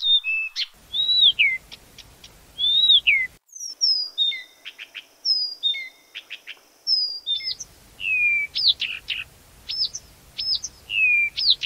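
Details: Blyth's reed warbler singing at night: clear whistled phrases sliding downward, alternating with short dry ticking notes, melody then tk tk then a new melody, separated by brief pauses, on a quiet background.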